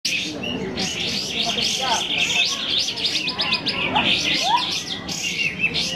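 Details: Sooty-headed bulbuls singing at a bird-singing competition: dense overlapping bright chirps and short whistled phrases from many birds at once, repeated rapidly throughout, with a steady background murmur.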